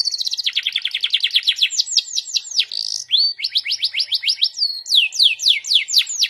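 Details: Canary song in the 'goyang' and 'cengkok' style: a very rapid high trill slows into repeated looping notes, with a brief buzz, then wide falling sweeps.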